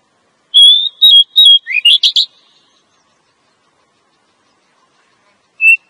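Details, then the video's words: Female Oriental magpie-robin calling to lure a male, used for trapping males in the forest: a few clear whistled notes near the same pitch, then quick rising chirps and a harsh rasp, one more short whistle after a pause. "Suara Burung Kacer Betina Ampuh pikat Penjantannya"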